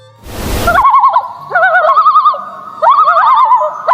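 Common Loon giving wavering, quavering notes near one pitch, in three bursts about a second apart, after a brief loud rush of noise at the start.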